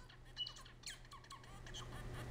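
Zebra finch giving short, nasal, tinny chirps in quick irregular bursts over about two seconds, with a low steady hum underneath.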